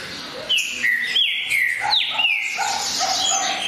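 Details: Green-winged saltator singing clear whistled notes that slide downward, sharp descending slurs repeated roughly every half second, with a lower steady whistle underneath.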